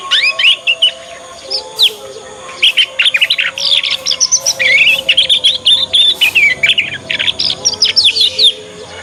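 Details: A young domestic canary (Serinus canaria), of Yorkshire type, learning its song sings a fast, continuous stream of high chirps, trills and rolling notes, rising and falling, with a faint steady hum in the background.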